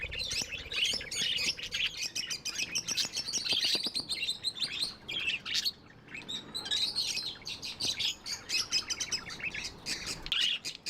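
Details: Tame budgerigars chattering nonstop, dense scratchy warbles and rapid chirps from several birds, with a faint low hum early on.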